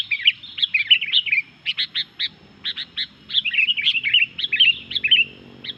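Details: Noisy, vigorous sooty-headed bulbul song intended to agitate other bulbuls: dense strings of bright chirps and quick warbling whistles, about two notes per second, uneven spacing, little background.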